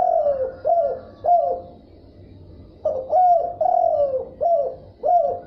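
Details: Spotted dove calling in the thúc bổi gáy gù style, two phrases of rich, hollow coos with a short pause between; one sustained falling coo sits among shorter hoots.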